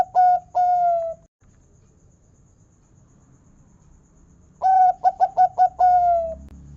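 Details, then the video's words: Local zebra dove (perkutut) with a big 'kung' voice, used as a lure to get zebra doves singing: two steady mellow coos, a quiet pause, then a phrase of a long coo, quick stuttered hoots and a drawn-out falling coo. "Masteran Perkutut Lokal Suara Kung Besar Pancingan Burung Perkutut Agar Gacor"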